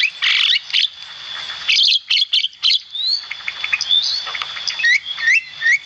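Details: Javan myna in full lively song for cage-bird training: scratchy chattering bursts early on, then shorter clipped whistled notes, some rising sharply, over a constant faint high-pitched tone.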